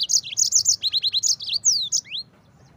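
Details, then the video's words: Yellow-fronted canary in lively song, fast and packed with rough bursts: a rapid run of high chirped notes, a series of quick downslurs, then two clear sweeping whistles before silence. "Mozambik Gacor speed rapat, Tembakan Kasar"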